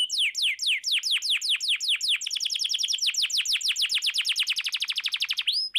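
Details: Canary used to get silent canaries singing: evenly spaced falling whistles quicken into a very fast, dense trill, ending with a short rising whistle.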